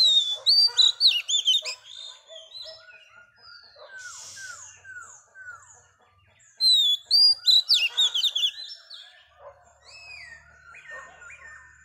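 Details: Female Oriental magpie-robin, wild-caught, in song meant to stimulate males. Two loud bursts of rapid, high, bright whistles and twittering are separated by softer descending slurred whistles and a short buzzy rasp.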